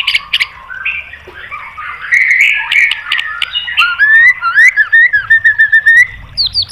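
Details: White-rumped shama song used as a training recording to provoke other birds into answering, with rising and falling clear whistles, slurred notes and short buzzy bursts building to fast rhythmic chips near the end.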